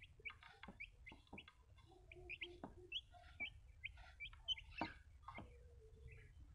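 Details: Small baby chicks peeping softly: scattered high, short downslurred cheeps, some overlapping, with clicks and faint low background hum.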